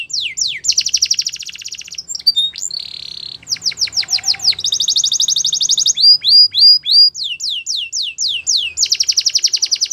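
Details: Canary in full song, alternating long rolling trills of rapid high notes with series of sharp descending chirps, a brief sustained buzzy tone and bright whistled slurs, repeated tours flowing without pause.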